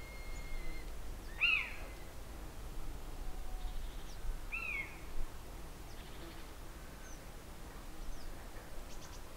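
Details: Common buzzard arriving with a lizard for its chick, heard as two sharp, high squealing notes several seconds apart, with faint scattered clicks and background rustle.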